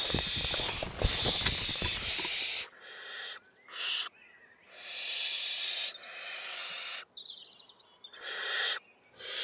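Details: Five big barn owl chicks of different sizes in a nest inside an attic wall beside village hay meadows in June, giving harsh, rasping, overlapping hisses in bursts of about a second, with a thin whistled note and low rumbling at the start.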